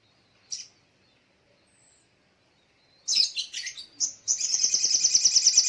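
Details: Morning song of a little spiderhunter: a lone sharp chirp, then a burst of high piercing notes that settles into a fast, steady run of repeated thin 'tsee' notes, about three per second.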